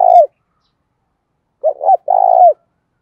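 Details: Spotted dove, 'thúc' cooing in the 'Đấu Bổi' style with a field-type voice. The tail of one coo is followed after a pause by a full phrase: a quick double note, then a drawn-out vibrating coo that sinks at the end.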